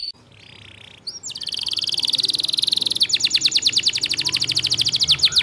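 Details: Several male canaries singing. A short quiet note opens, then a loud, high, rapid trill of identical notes repeated about three times per second, shifting midway into a faster, sharper rattling series.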